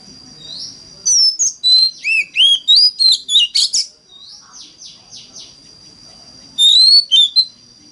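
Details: Oriental magpie-robin singing a 'mountain forest' lure song to prompt other magpie-robins: a rapid burst of rich whistles and rising slurs, a run of softer descending chips, then a short final whistled phrase.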